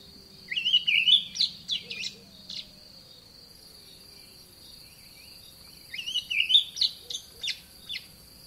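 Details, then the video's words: In a garden, an olive thrush repeats bubbling, slurred warbles mixed with sharp high notes in two spaced bouts, while a steady shrill insect tone and faint low rumble continue beneath. "Olive Thrush Bird Call"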